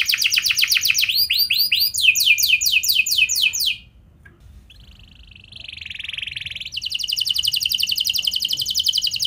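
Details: Canary song for prompting other canaries to sing: rapid trills and sweeping phrases, a pause, a nasal buzzy note, then a long fast high trill.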